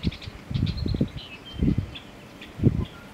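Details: Male American bittern display call, the "Onk-a-chunk" pumping: low, booming gulps in clustered bursts, a group near the start, another mid-way and one at the end, over faint distant bird twitters.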